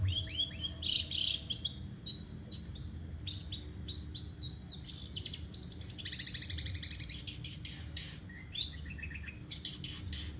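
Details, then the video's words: Long-tailed shrike in continuous song, a fast jumble of chirps, buzzy rattles and whistled slurs delivered without a break, with a low steady hum underneath. "tanpa jeda, cendet gacor"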